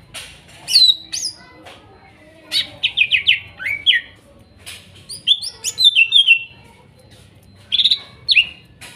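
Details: Greater green leafbird song meant as therapy for a silent bird, forest-sourced material: lively bursts of rapid chirps and sharp descending whistles in several clusters, varied and loud.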